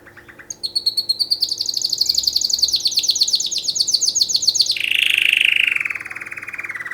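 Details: Canary singing for mating, starting with soft ticking notes, swelling into a long rapid high rolling trill, then dropping into a lower, harsher buzzy phrase before fading to quick chips.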